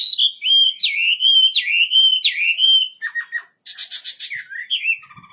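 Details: Whistled, wavering song of a wambi bird, delivered vigorously: looping rising and falling phrases for three seconds, then shorter chips and a burst of buzzy, rapidly pulsed notes.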